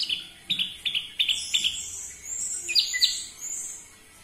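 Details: Orange-headed thrush song, played to make captive birds sing, with a run of quick repeated whistled notes followed by higher sliding phrases.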